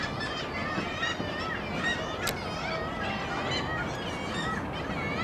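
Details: Many gulls calling together at the Baltic, Tyneside, on 2 April 2023: a steady, softer chorus of overlapping wailing, harmonic cries, with one sharp click near the middle and a low hum of background noise.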